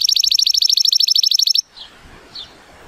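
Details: Timbrado Español canary, a male born in 2018 rated at 83 points, on a sunny day: a fast, even metallic trill lasting about a second and a half, then two faint soft notes over quiet background hiss.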